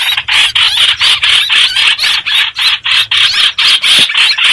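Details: Streak-eared bulbul, a lure for trapping: rhythmic, pulsing bursts of harsh chatter about four per second, evenly spaced and sustained throughout.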